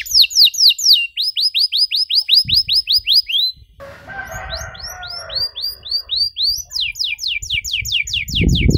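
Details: Canary song used for training young canaries to sing: long runs of rapid, repeated upward-sweeping whistled notes, a brief break with a low muffled rustle, then fast trills resume, ending with a low thump.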